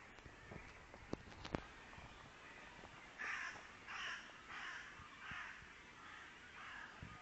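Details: Birds heard outdoors; after a few sharp clicks, a series of about six harsh, hoarse caws spaced roughly every half second to second, fairly distant over steady background hiss.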